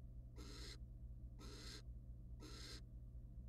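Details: Wild male and female barn owl in a monitored nest box, mating followed by the male preening her feathers; three breathy screeching hisses, each under half a second, come roughly once a second above a low hum.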